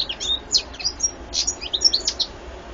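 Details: European goldfinch, recorded 2014, delivering a fast run of high chirps, liquid twitters and short buzzy trills packed into under three seconds.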